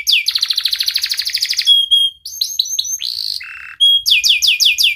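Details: Canary giving sharp 'cuit cuit' song to trigger silent canaries: a rapid rattling trill, short steady whistles, quick slurred notes, a low buzzy note, then a run of repeated falling sweeps.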